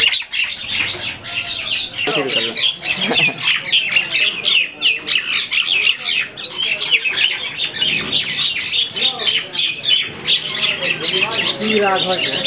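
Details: Quarrelling common mynas locked in a fight give a continuous stream of rasping squawks and rapid chattering, harsh notes packed closely together with only short dips, while a person's voice is faintly heard underneath.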